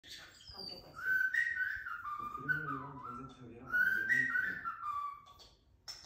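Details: A tame, human-raised European starling from the Raleigh, NC area whistles the Smurfs theme tune in clear, sliding phrases that rise and fall, with a lower, throaty passage in the middle.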